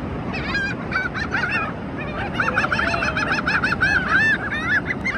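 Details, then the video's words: Seabirds calling on the ocean shore at South Padre Island, Texas, during spring break: a flock giving harsh, harmonic squawks in quick overlapping runs, several birds at once, over a steady roar of surf. "Birds sound on the Ocean"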